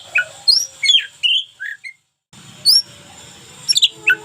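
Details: A local Oriental magpie-robin sings its unique daily tutoring song: spaced whistled phrases and short slurred notes, broken by a short silence, with a low rumbling hum in the background.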